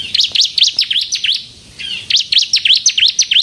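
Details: A lively crystal-type bar-winged prinia singing to lure and goad other prinias: a quick string of high, sharp, V-shaped chirps, pausing once for half a second before resuming at the same rapid pace.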